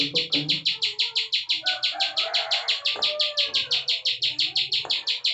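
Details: Bar-winged prinia in full ciwah prenjak klik song: rapid, regular high notes about three per second without a break, with a few quiet background sounds.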